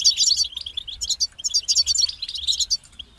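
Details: European goldfinch song, described as structured music with a beginning and end: bright twittering phrases high in pitch, quick chirps and trills in bursts separated by brief pauses.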